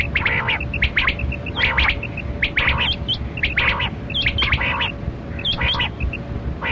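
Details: Kali kirak batera quail during a hunt: dense clusters of harsh, chirping notes, each cluster followed by soft short pips, repeated about every second over continuous low noise and a faint steady hum.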